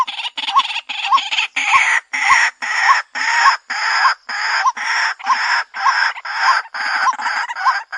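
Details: Repetitive grating croaks of a white-breasted waterhen lure call, nearly two each second for eight seconds, each note closing with a small upward squeak.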